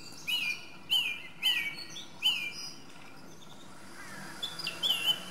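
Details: Singing song thrush (Turdus philomelos): one clipped whistled motif repeated four times at roughly half-second spacing, then a pause and a new, higher rising phrase.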